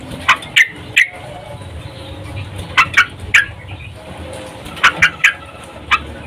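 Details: Female yellow-vented bulbul in breeding condition calling to a male, used as a lure; scattered short bright chirps, singly and in pairs, with a low background hum.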